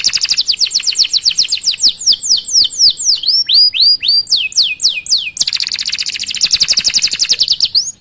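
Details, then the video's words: Canary song used as a tutor recording to prompt other canaries to sing; long rolling song of rapid, repeated, sweeping high whistled notes, several trill types at about four notes per second, switching to a faster dense trill midway. "Masteran Suara Burung Kenari Gacor Panjang Cuit - Cuit Ngerol"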